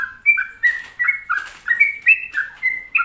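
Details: Sooty-headed bulbul singing actively: a fast run of short, clear whistled notes, each sliding up or down, about three per second, with fluttering ends between phrases.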